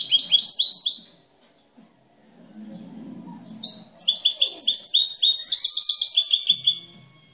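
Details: A European goldfinch, described as a flawless master singer with clean song used to train other birds, sings a fast, high, liquid twitter of tinkling notes in two bursts, with a brief pause and faint low background noise.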